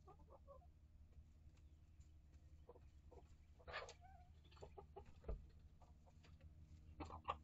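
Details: Hens and chicks of several breeds in a coop and run: short clipped clucks and chirpy notes scattered through, with a louder rustling burst midway and a continuous low hum behind.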